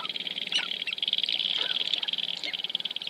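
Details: Sharp-tailed grouse dancing, Wainwright, Alberta, 2015. A rapid high-pitched rattling buzz with a couple of short downward-sliding calls.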